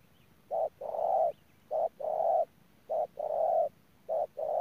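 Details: Spotted dove kept as a ground decoy bird in Đức Cơ, cooing in a steady phrase: a brief low note followed by a longer, rougher coo, the pair repeated about four times against a quiet background.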